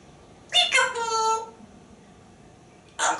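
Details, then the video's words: A pet talking parrot on a back porch, amid whistling and chatter about squirrels and birds. A brief harmonic, voice-like utterance lasts about a second, then a second short burst follows after a pause, with a quiet room background. "Einstein the Talking Parrot’s Back Porch Monologue"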